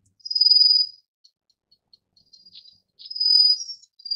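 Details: A Rufous-faced Warbler (Abroscopus albogularis) gives two very high, thin, insect-like trills, each under a second long and about two seconds apart, with faint ticks between them.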